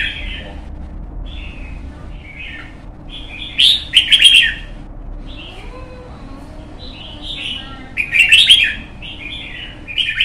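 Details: Red-whiskered bulbul, a young white-cheeked bird in a cage, trained in Vietnam for contest singing. It gives soft short warbles leading to two loud rich chattering bursts about four seconds apart, ending with a brief whistled phrase.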